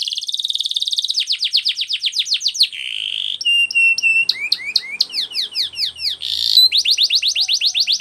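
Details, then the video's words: Canary training song: long fast rolled trill, a buzzy slur, clipped double notes, steep downward sweeps and a final rapid series of falling whistles. "Canary singing"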